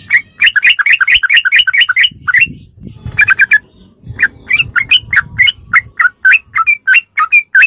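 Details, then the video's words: Sooty-headed bulbul in ropelan style, a masteran used to train captive birds: a quick run of repeated chirping phrases, a brief pause, then slower, separate sharp chirps spaced about a third of a second apart, over faint low rumble. "ROPELAN BURUNG TRUCUK TERBAIK||PASS BUAT ISIAN¦¦MASTERAN TRUCUK"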